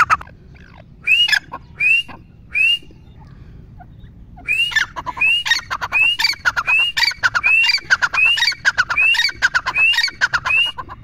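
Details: Grey francolin, known as teetar, with three spaced rising whistled notes followed by a long steady series of the same upslurred whistles, each about three-quarters of a second apart, interleaved with rapid harsh clicking notes.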